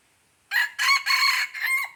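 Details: Crowing Red junglefowl in Aceh on 05/01/2020. One brisk call: a clipped opening note, two sustained bright syllables, then a falling final note, all within about one and a half seconds against near silence.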